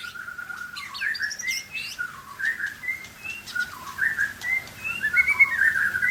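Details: Aceh white-rumped shama singing a varied, fluty song of swooping and slurred whistles at changing pitches, phrases flowing almost without pause over faint background hiss.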